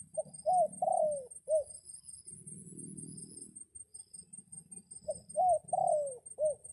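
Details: Decoy red junglefowl crowing to call in wild birds during a rainy spell: two short crows of four clipped, rising-then-falling notes, one near the start and one near the end, over a low background rumble.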